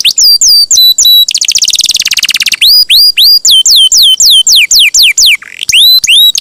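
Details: Canary song played to get other canaries singing: clipped downslurred whistles, a buzzy rolling trill, then a series of evenly spaced swooping notes about two per second.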